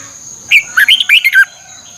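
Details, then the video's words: One short, cheerful phrase of a Thai red-whiskered bulbul, played for training caged birds: about six rapid liquid whistles rising and dipping within a second, over a thin steady whine. "เสียงนกกรงหัวจุก สำหรับต่อ หรือ เปิดให้นกคึก เสียงเพราะๆ ฝึกหงอนเป็นเวลา"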